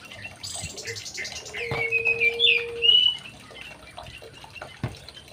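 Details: Young male white-rumped shama in an aviary gives one short warbled phrase of slurred whistles ending in a brighter flourish, with dripping water, clicks and a low steady tone in the background.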